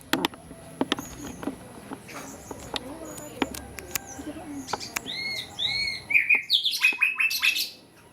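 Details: Wild cinereous tit singing actively: after several seconds of faint clicks and soft notes, a loud burst of sharp, arched and downslurred chirping notes runs in quick succession for about two seconds, then stops.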